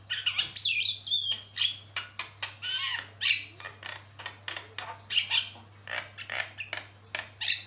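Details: Javan myna in full song, recorded as a long training master: rapid scratchy bursts, rising and falling whistled slurs and harsh chatter following each other without a break.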